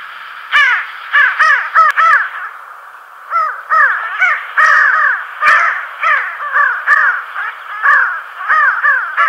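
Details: Pin-tailed sandgrouse (Pterocles alchata) flocks flying fast over the La Mancha plains near Tablas de Daimiel and Villarrubia, heading to wetland drinking spots: harsh, nasal, rolling calls in quick pairs and short bursts, several birds overlapping throughout.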